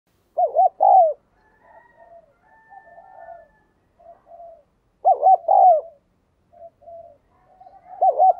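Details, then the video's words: Spotted dove decoy bird calling to lure wild doves: two loud phrases of short arched coos, each followed by long stretches of soft, low murmuring coos, with quiet surroundings. "Chim cu gáy - Chim Cu Mồi Thúc và Gáy Gọi Bổi"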